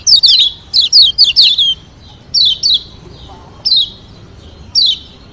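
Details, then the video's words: Lombok yellow white-eye in captivity, singing to goad rivals into responding; a quick cluster of high falling whistles at the start, followed by single or paired down-slurred notes roughly every second. "Kecial Kuning ( JOSS VARIASI )‼️BIKIN LAWAN EMOSI DAN NYAUT‼️"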